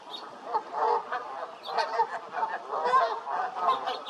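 Canada geese honk in a dense, overlapping chorus, nasal calls repeating several times a second from many birds at once.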